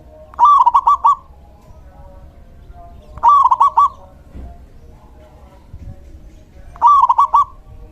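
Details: Male local zebra dove song, played to lure and stimulate other doves: three short bursts of quick warbling coos, each a stuttering run of about five notes, spaced roughly three seconds apart over quiet background.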